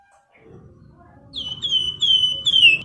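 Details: Javan grey-throated white-eye, a caged bird singing as a lure and master for training other cage birds: faint at first, then a string of clear, loud, slightly falling whistled notes in quick succession.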